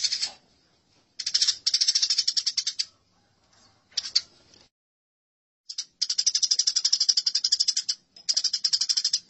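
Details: House sparrows in a fight make high, buzzy, rapid rattles in bursts. A quiet spell follows, then long unbroken chattering runs toward the end.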